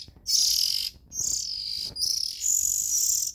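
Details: Oriental magpie-robin chicks make continuous, strained hissing screeches, high-pitched and rasping, almost without a break.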